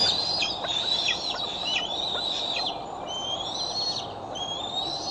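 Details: Bald eagles at the Decorah nest, recorded by a nest camera on 6 July 2011: a run of shrill, high whistled notes, each ending in a quick downward sweep, then longer level whistles over steady hiss.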